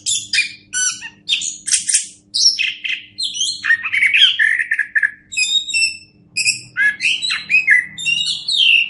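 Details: Orange-headed thrush song used as a master recording for training other birds: a rapid, varied stream of sharp whistles, trills and mimicked chips, mostly high-pitched, in short phrases with brief pauses, over a faint low hum.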